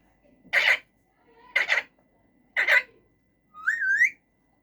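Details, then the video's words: Caged male rose-ringed parakeet talking and making different sounds: three harsh, broadband squawked syllables about a second apart, then a clear whistled note sliding upward at the end. "Talking Raw Parrot making different sounds"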